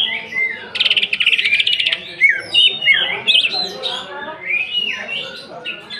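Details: Greater green leafbird 'nembak' song with 'isian kasaran' fill-ins used to provoke emotion: a sliding whistle, then a rapid buzzy rattle lasting about a second, followed by varied sharp upslurred and downslurred whistled notes.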